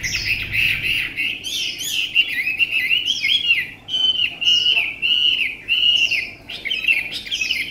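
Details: Chinese hwamei, a tame bird from Vietnam noted for a lovely voice, delivers a continuous rolling warble of mid-high whistles, with rising and falling loops broken by brief pauses.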